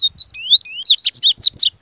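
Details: Bahian yellow-bellied seedeater in full form delivering a loud, powerful song: rapid rising whistles repeated in a tight series, followed by harsh buzzy down-slurred notes, with faint low thumps beneath.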